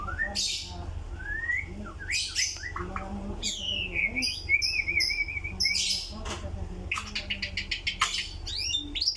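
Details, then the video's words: White-rumped shama in full, lively song: a varied stream of whistled slurs, rising sweeps, buzzy bursts and fast repeated notes, over a steady low hum and background noise. "burung murai gacor"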